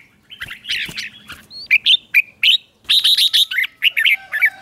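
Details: Morning song of a red-whiskered bulbul for training, 'ché' style: jumbled warbling followed by a steady sequence of short, loud whistled notes about four per second, ending with a faint tonal hum.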